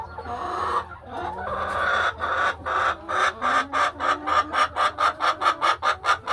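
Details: Laying hens inside a farm hen house during a quiet afternoon, walking ledges and nesting; mixed murmuring calls build into a fast, regular run of clucks, roughly two per second, over a low background hum.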